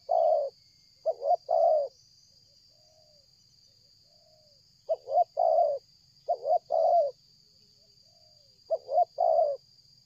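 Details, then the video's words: Spotted dove calling without stopping as it approaches from far off during bird luring; clustered phrases of clipped stuttering notes ending in a longer husky coo, with quiet soft notes between and a steady background hum. "tekukur ini kuat nguku dari jauh mendekat nguku takberhenti"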